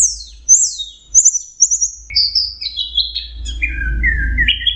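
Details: Orange-headed thrush in teler song: a run of high, descending whistled phrases that step gradually lower, with short buzzy bursts, over a faint low rumble toward the end.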